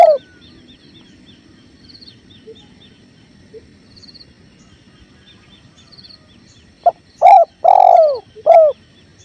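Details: Several seconds of river flow with faint high chirps and soft twitters, then a spotted dove breaks in near the end with a short note, a coo, a long falling coo, and a clipped final note.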